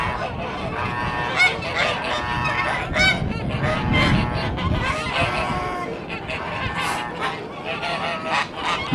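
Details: A two-year-old white Kholmogory gander on a farm keeping ancient breeds calls in loud, nasal, harmonic-rich honks, repeated several times across nine seconds over steady farmyard background noise.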